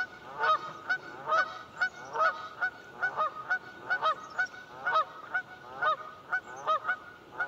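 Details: Canada geese off Buzzard Roost Creek, Alabama, calling noisily: a run of harsh, nasal honks with downward-bending notes, roughly one per second, several birds overlapping in a steady chorus.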